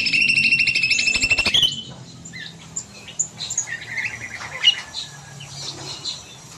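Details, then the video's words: Long-singing cucak mini bulbul kept in an aviary in the evening: an intense, rapid buzzy trill for nearly two seconds, followed by scattered quiet chirps and whistles from surrounding birds. "Burung Cucak Mini Gacor Panjang"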